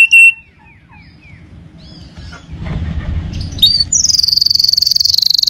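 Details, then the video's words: Canary tutor song for training untrained birds: faint scattered chirps and short slurred notes over low rumbling noise, ending in a loud, steady, high buzzy trill for the last second and a half. "audio masteran kenari"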